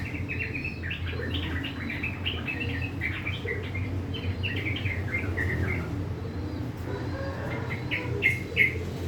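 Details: Kept sooty-headed bulbul singing in the morning, a rough, chattering 'ngriwik' style: quick run of short bubbly chirps in steady bursts, pausing, then a few sharp notes at the end, over a constant low hum.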